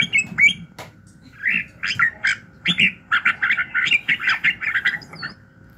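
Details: Red-whiskered bulbul in morning song for voice training to spark fighting spirit: a few separate chirps, then a quick rolling series of bubbly warbled notes, over a faint constant tone.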